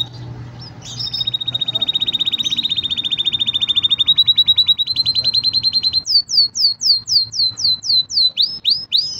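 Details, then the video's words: Green canary song opening with a fast, even buzzing trill lasting several seconds, followed by a slower series of bright downward-sliding whistles. "Green canary bird singing"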